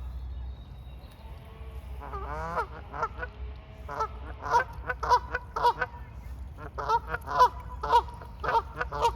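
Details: Mute swans being fed at the water's edge. Short nasal, honking notes begin after a rising call and repeat roughly twice a second in an uneven series, over a steady low rumble.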